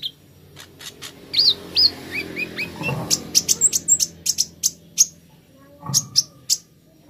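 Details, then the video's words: Plain flowerpecker (kolibri ninja) song used to coax a bird into singing: sharp high ticks and short whistled sweeps, a brief descending series, then scattered bright chips at an uneven pace. "Terapi Kolibri Ninja Cepat Buka Suara"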